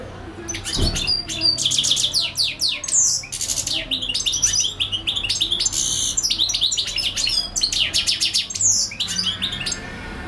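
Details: European goldfinch singing continuously for several hours; dense, energetic high twittering with buzzy rasps, sweeping whistles and rapid trills, phrases running into each other with only brief gaps.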